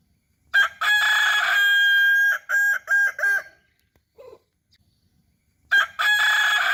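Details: Hobby-kept Kukuak Balenggek rooster holds a steady note for over a second, then adds three short bouncing syllables. After a near-silent gap with a faint low sound, another crow begins.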